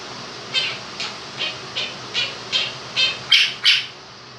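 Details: Male pet Quaker parrot, two years old, imitating the 'do-do-do' music of 'If You're Happy and You Know It'. Eight short, evenly paced harsh notes rise to two louder ones at the end, with fan noise underneath.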